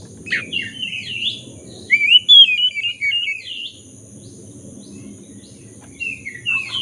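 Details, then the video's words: Magpie-robin of the black-breasted form singing, used to coax silent birds into song; a rapid jumble of whistled and warbled notes, then a quieter pause and a few more whistles over soft low background noise. "Pancingan kacer dada hitam gacor - pulihkan kacer macet bunyi"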